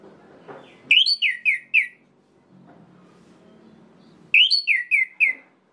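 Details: Orange-headed thrush; song; provoking rival males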